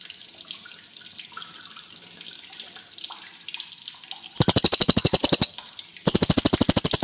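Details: Soft, scattered chirps in the background open the recording; then a singing cililin bursts into two loud, fast rattling trills of high, ringing notes, each lasting about a second.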